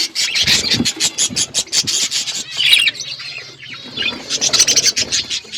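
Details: Outdoor aviary flock of budgerigars keeping up a continuous high twittering chatter, with short bursts of sharp chirps and a brief quieter spell near the middle.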